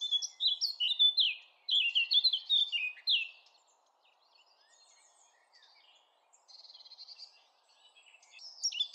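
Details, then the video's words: Blackcap pouring out a sweet, fluty warble of descending slurred whistles for three seconds. After a short pause come quieter scattered notes and a soft buzzy trill, then one more brief phrase. "SONG OF THE BLACKCAP"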